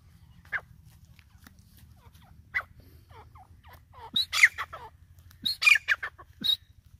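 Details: Female francolin, Irani teetar, whose call is used to lure birds for hunting: scattered faint notes, then harsh loud clustered calls near the end over a steady low ticking hum.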